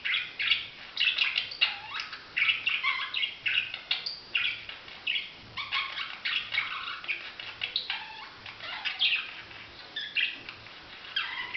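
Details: Steady budgerigar twittering, a long run of quick chirps and slurred squeaky notes coming several times a second, with a faint low hum underneath.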